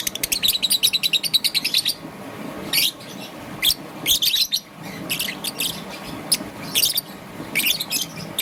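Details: A young peach-faced lovebird, green and yellow plumage, in the morning: opens with a fast even run of about twenty clipped chirps, then scattered harsh squeaky bursts, soft hum beneath.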